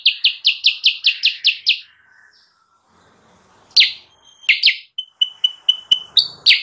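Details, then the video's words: Sooty-headed bulbul lure sound for wild birds: a quick burst of eight rising chips, a pause of near silence, then scattered sharp notes and a short rapid run of thin tones. "suara burung kutilang sutra gacor"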